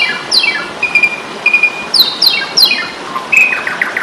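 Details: Asian pied starling singing in a fighting mood, for training songbirds: rapid descending rattled sweeps, level whistles and sharp chips, the sweeps repeated about every half second, over background hiss.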